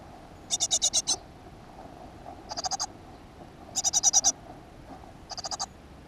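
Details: Great tit at a nest box in a school garden, 7 June 2015. Four quieter high, pulsed rattles, some short and some longer, are spaced over a second apart against faint background hiss.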